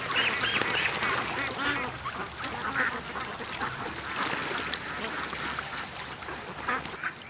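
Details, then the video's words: Flock of domestic ducks on their morning rush from the pen to the creek, let out an hour late; busy, ragged quacking from many birds at once, loudest early on, then a steady mix of overlapping calls. "Ducks At The Creek Morning Rush"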